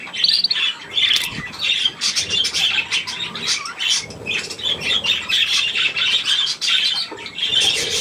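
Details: Budgerigars with their young at millet, 3 May 2024, opening with a clear rising whistle, then a steady stream of buzzy, warbling chirps from several birds and some fluttering.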